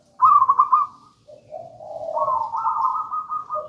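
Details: Singing zebra dove of the local gedang rojo style, used as a trapping lure and master song; a quick rolling trill, then soft low purring that rises into a sustained, wavering higher coo.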